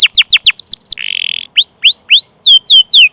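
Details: Canary chirping as a lure for training canaries: sharp descending chirps, a brief buzzy rattle, then a slow series of clear rising and falling whistled notes.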